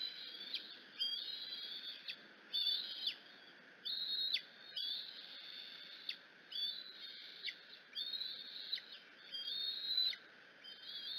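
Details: Excited Bald eagle eaglet at the Decorah nest screeching at its mother's arrival with food; a string of about eleven short, high, whistled screeches, each roughly half a second, repeated about once a second over steady hiss.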